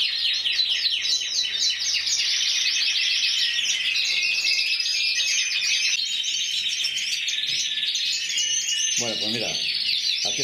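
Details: Canary of intense yellow colour, Spanish individual champion 2014 at Antequera with 94 points, delivering a dense, fast rolling trill song of rapidly repeated notes, changing tour partway, with a few brief low knocks near the end.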